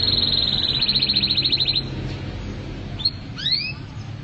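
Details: Canary in mabok teler song: a rapid buzzy trill of evenly repeated high notes lasting nearly two seconds, a pause, then a few upward-sweeping whistles.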